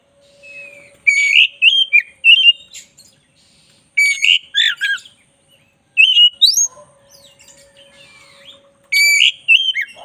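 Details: Energetic song of a black-breasted oriental magpie-robin for tutoring. Groups of loud, rapid whistles and chattering notes come every few seconds, with a faint sustained low whistle running beneath the quieter stretches.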